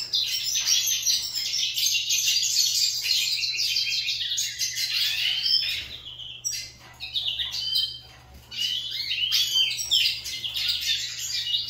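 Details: Lined seedeaters in a song duel: overlapping high, rapid trills and chattering phrases, with a short lull in the middle before the fast twittering resumes.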